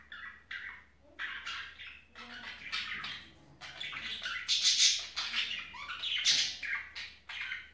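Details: Budgerigar chatter during mating season: a busy, scratchy warble of squawks and high chirps, broken by sharper squeaks, running on without pause.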